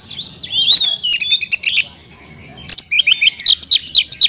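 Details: Caged Oriental magpie-robin (kacer) singing an isian song rich in fill-in phrases: a dense run of high whistled and chattering notes, a brief pause near the middle, then quick sharp chirps repeated about four per second.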